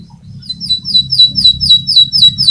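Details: Fighter canary singing a rolling phrase for use as master training audio; a string of about ten sharp, high, downward-swooping chips, evenly repeated roughly four times a second, over a soft low hum.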